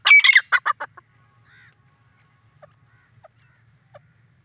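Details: Grey francolin (gora teetar) roaming free, calling: a burst of loud, harsh, rasping notes repeated rapidly for about a second, then quieter short notes spaced widely apart, with a low background hum.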